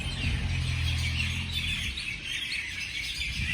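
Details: Birds chirping in the morning over a loud low droning hum in the first two seconds; high quick tweets from several birds run throughout.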